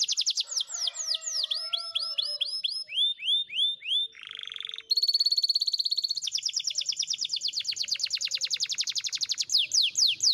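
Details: Spanish Timbrado canary training song: fast descending whistled notes, then slower sweeping slurs, a brief buzzy passage, and long rapid metallic rolls of evenly repeated notes filling the second half.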